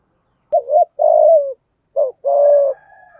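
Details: Spotted dove cooing in the thổ, hạp bổi or cúc dinh song style: two phrases, each a short hooted note then a longer steady, slightly falling coo, in clean quiet surroundings.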